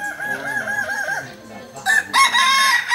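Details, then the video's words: Balenggek rooster crowing at a landiak-class contest, Sunday, Ampang Kualo, Solok city. A clear multi-syllable crow of four or five even, wavy notes in a row, then louder bright crows break in from other birds near the end. "Kontes Ayam kukuak balenggek"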